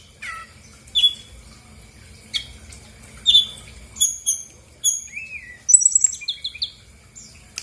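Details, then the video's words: A brown-chested jungle flycatcher sings in a sparse lure recording meant to trigger other birds: isolated clear whistled notes spaced about a second apart, then a quick stuttering high trill. "PANCINGAN SRDC GACOR BONGKAR ISIAN/BURUNG MALAS BUNYI AUTO EMOSI RESPON NYAUT!!!"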